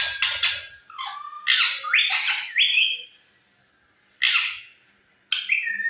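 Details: A parrot squawks loudly in rough, noisy bursts mixed with short upward-sweeping nasal notes, falls silent for about a second, then gives two more harsh squawks with a brief slurred whistle at the end.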